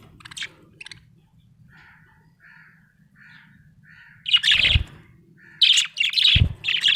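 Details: Happy budgie: a few sharp chirps, a series of soft nasal notes, then loud scratchy warbled chatter bursts broken by two dull thumps; low hum persists.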